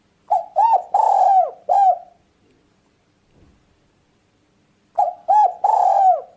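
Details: Spotted dove luring sound for catching and hunting birds: mellow coos grouped into phrases of four, short rounded notes around a long drawn note, separated by a pause of about three seconds.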